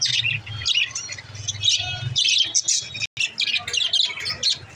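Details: Chirping budgerigars used to help lonely budgies start chirping. Busy high-pitched twittering with scratchy warbled phrases and short whistles, a low hum underneath early on, and a momentary cut-out partway through.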